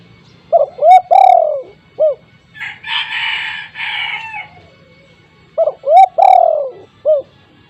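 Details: Spotted dove with a loud voice, used as a lure for untrained birds. It gives two coo phrases, each with short hoots, a long falling coo and a closing note. Between the phrases a rooster crows loudly.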